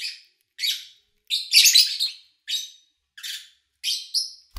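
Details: Lovebird kept as a pet, recorded in August 2019 with little human activity nearby: about eight sharp, scratchy high chirps at irregular intervals, with a denser rasping cluster near the middle and a faint click at the end.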